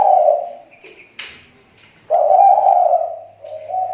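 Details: Spotted dove used as a lure in the Riau Islands, its voice improving: a short husky coo, a pause with a brief rustle, then a longer rolling coo trailing into a softer ending.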